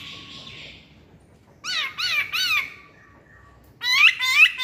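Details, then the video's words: Lure song of the masked laughingthrush: a burst of three harsh, rasping chevron-shaped calls. After a short gap come two louder strident notes with sharp upward whistled tips. "Kicauan Poksay Hongkong"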